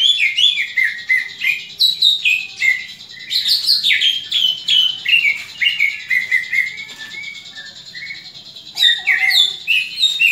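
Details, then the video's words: Greater green leafbird giving its fighting call, used to train other leafbirds' fighting spirit: a fast, loud run of varied sweet whistles and slurred chips, mostly high-pitched, with a short softer pause near the end before it resumes. "CUCAK IJO TARUNG INI, COCOK UNTUK MELATIH MENTAL TARUNG CUCAK IJO LAIN"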